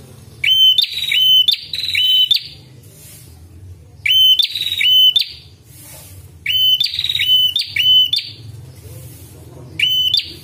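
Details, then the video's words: A red-headed prinia, recorded for use as a luring call, gives loud, sharp bursts of a clear high whistle mixed with rapid, buzzy, clicking notes, in phrases of about two seconds repeated every three seconds or so. "PIKAT BURUNG PRENJAK"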